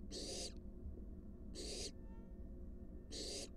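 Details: Barn owl, wild, in a nest box where an adult delivers a large rat to its fledgling; three rasping, noisy hiss bursts about one and a half seconds apart, steady and unmusical.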